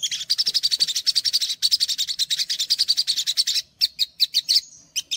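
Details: A dense, buzzy trill of rapid high chirps from the olive-backed sunbird runs for over three seconds, followed by scattered sharper notes and a thin drawn-out whistle; a training recording for untrained sogok ontong.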